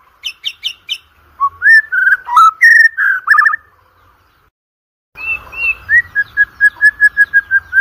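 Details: White-rumped shama song for training contest birds: a few high chips, then rising and falling whistled phrases, a pause of about a second, then a rapid, even series of a dozen short repeated whistles.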